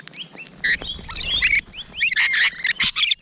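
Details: Rainbow Lorikeets calling close by in the morning, a fast jumble of shrill whistles, squeaks and harsh screeches in irregular bursts.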